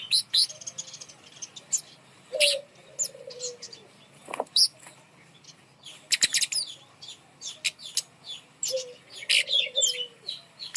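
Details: Kemade bird hung up high as a lure to get birds that are reluctant to sing to start singing. Sharp high chirps and twitters come in bursts, with a lower, drawn-out whistled note twice.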